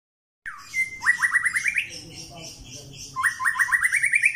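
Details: Pastol-type white-rumped shama during mental training: two bursts of quick rising notes repeated several times per second, each series climbing in pitch, separated by a softer pause with faint background noise.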